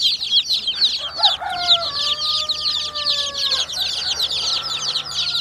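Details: Chicks cheeping in a thick chorus of high, sharp peeps while a smooth, sustained lower tone with overtones runs beneath for about two seconds mid-clip.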